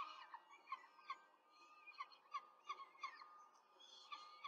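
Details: Peregrine falcon nest in Rome, 5 May 2023, female feeding four chicks quickly on a nest camera; steady series of short squeaky chirps, nearly three per second, with some drawn-out harmonic notes.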